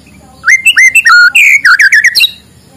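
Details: White-rumped shama in morning song, meant to coax reluctant birds into singing: a rapid sequence of loud, clear whistles and slurred notes, climbing and falling, ending in a quick tumbling flourish.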